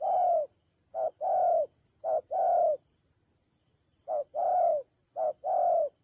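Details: In a fierce fight in the Central Highlands of Vietnam, a decoy spotted dove calls in hoarse low coos, short-long pairs delivered in a burst, a pause of about a second, then more pairs; a faint high tone persists.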